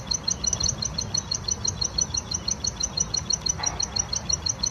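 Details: Plain prinia in the wild, singing vigorously with rapid, evenly spaced high ticking notes, roughly three per second, over a soft steady background hiss.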